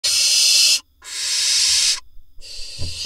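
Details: Barn owl nestlings in a nest box in Israel, 6 July 2021, one waiting at the entrance and receiving prey; long harsh breathy hisses, each under a second, repeated in three bursts.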